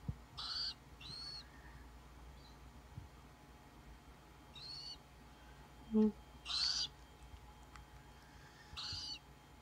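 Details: Captive Tropical Screech Owl chicks, hatched 14 and 16 June 2017: five harsh, raspy hissing bursts, each about half a second long, come at uneven gaps over a quiet indoor hum, with one soft knock midway.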